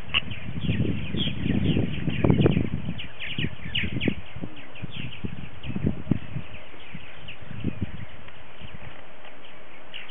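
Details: Purple martins gathered for a morning social at their colony on February 28, 2018, after early scouts arrived. A continuous stream of chirps and gurgling notes from many birds runs above heavy wind buffeting.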